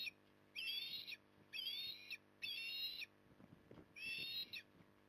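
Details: Evening osprey feeding at Port Lincoln, Australia, 9 October 2020: four high, piercing, whistled calls, each roughly half a second long, arriving about once a second, over faint low background noise.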